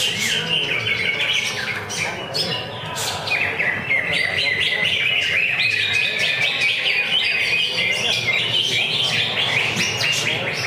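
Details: At a routine Friday practice bird singing contest, a greater green leafbird pours out a long stream of sharp whistled notes and looping slurred phrases, overlapped by other songbirds and some people talking.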